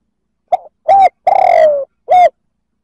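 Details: A spotted dove's male-provoking coo: four notes, from a faint start through a strong coo and a long pulsing downward slur to a short closing coo.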